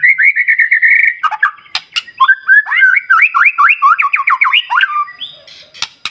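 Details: White-rumped shama singing hard, a song used to provoke other shamas into singing: a long steady whistle near one pitch, then a fast run of looping, rising-and-falling whistled notes, with sharp clicks between phrases.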